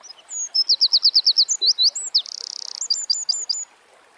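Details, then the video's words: A single Eurasian wren delivers its energetic song: brisk repeated high notes, a couple of swooping slurs, a dense rattling trill, then a quick string of sharp ticks before falling silent. "Birds Singing - Eurasian Wren"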